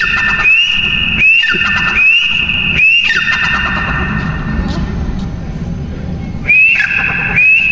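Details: Partridge calls in a repeated series. Each is a rising whistled note that levels off into a buzzy, harmonic-rich tone, about every 0.8 seconds. A pause of several seconds filled with background noise follows, then the calls resume.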